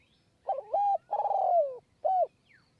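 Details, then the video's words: Spotted dove cooing from a perch in high forest near Kanchanaburi, Thailand, during decoy luring of wild doves. A loud three-part phrase: a wavering hooted note, a long drawn coo sliding downward at its end, then one short rounded coo. "คูบนคอน คูยาวมาก 170 คำ"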